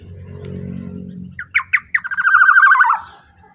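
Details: Black-naped oriole calling loudly and powerfully, used as a lure for other orioles: low rumbling hum first, then a few separate harsh rising notes running into a fast buzzy, nasal rattle that fades at the end.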